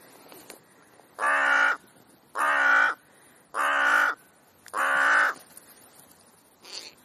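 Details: Rooks come to a park as winter visitors; four loud, rasping caws, each about half a second long, spaced roughly a second apart, with a faint fifth call at the end and little else around.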